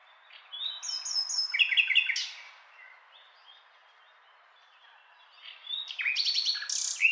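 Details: Nightingale song in two phrases split by a pause: high whistles lead into quickly repeated chock notes and a steep rising sweep, then a second burst of fast, rattling notes.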